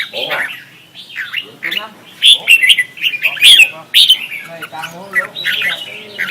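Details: Red-whiskered bulbul competitive song, used as lure sound: rapid jumbled chirps and slurred whistles, loudest midway, with low buzzy tones underneath throughout.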